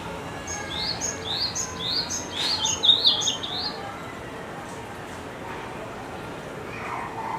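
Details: Red-flanked bluetail singing at Higashiyama Zoo: a run of thin, high, rising whistled notes repeated about every half second, with a brief warbled phrase in the middle, over a steady background hiss.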